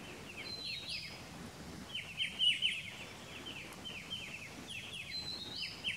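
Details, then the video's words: Striated bulbul, Pycnonotus striatus, recorded at Pelling, Sikkim, India in May: a series of short, bright, slurred downward notes repeated in quick bursts, with a faint higher thin whistle at times over a steady outdoor hiss. "Striated Bulbul"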